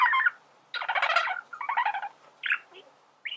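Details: A singing male budgerigar gives harsh, scratchy chatter and short squeaky phrases separated by brief silences, with no other sounds.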